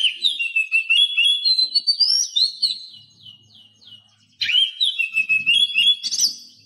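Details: Oriental magpie-robin tutor song with imitated phrases, for prompting mute captive birds to sing and twitter. A rapid string of repeated down-slurred whistles about three to four per second fades out, then a fresh burst of varied warbling.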